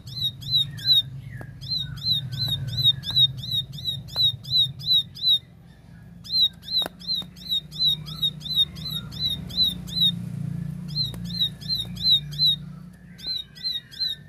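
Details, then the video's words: Lively, clear 'tembakan' singing from a plain prinia: repeated runs of piercing high chip notes at roughly three per second, broken by short pauses, with a few faint clicks and a low hum behind. "Tembakan Gacor Jernih Ciblek sawah"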